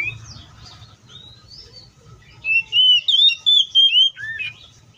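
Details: Oriental magpie-robin in the wild; after faint background chirps, a quick burst of clear whistled notes rises and falls, ending in a lower downslurred note.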